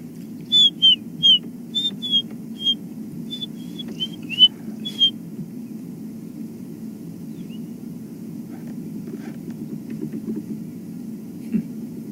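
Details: On a sunrise safari drive on 29 June 2015, waxbills give a quick run of thin, strident, shrill whistles, about a dozen short notes in five seconds, over a steady low engine rumble.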